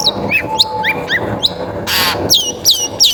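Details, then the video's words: Lure song of a long-tailed shrike meant to make other shrikes sing: quick high notes dropping in pitch, a short harsh burst of noise in the middle, then more clear downslurred whistles. "Suara Pancingan Cendet Gacor"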